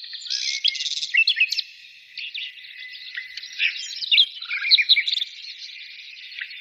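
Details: Busy twittering birdsong, a jumble of quick high chirps and short trills in bursts with brief quieter gaps.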